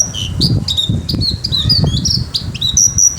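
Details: Caged Javan bush lark in full vigorous song: rapid high whistled notes, slurred upward and downward, mixed with sharp clicks, over low rumbling background noise.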